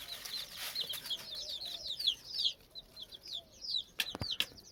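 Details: Several frightened chicks give shrill, high distress peeps that fall in pitch and overlap in a steady stream, with a few sharp clicks near the end.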